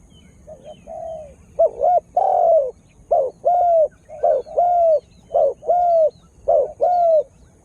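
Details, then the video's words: Spotted dove used as a lure for wild birds, cooing in a steady series: paired notes, a short burst then a longer falling coo, repeated about every second. "Tekukur Dengan Daya Panggil Yg Unik Bikin Burung Liar jadi Emosi"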